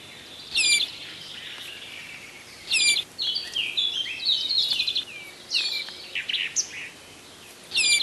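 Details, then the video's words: Priolo, the Azores bullfinch, calling with high whistles mixed with sharp, stacked chip notes. Short bursts repeat every two to three seconds, with softer twittering in between. "Pyrrhula Murina - Priolo"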